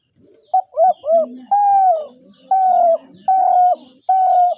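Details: Spotted dove cooing: three short, quick bent notes lead into four long, steady, hollow coos spaced about a second apart, against a quiet, clean background.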